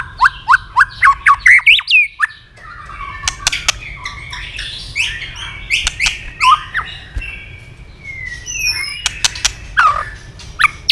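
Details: {'text': 'White-rumped shama in fast, intense fighting song with continuous tail flicking; opens with a rapid series of rising whistled notes, then a varied jumble of chirps, slurs and clicks, ending with clear descending whistles.'}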